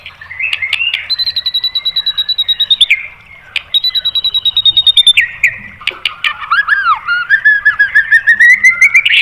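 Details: White-rumped shama song for provoking other birds: two stretches of rapid high trilled notes, then a descending, richly whistled series of slurred notes and squeaky rising phrases.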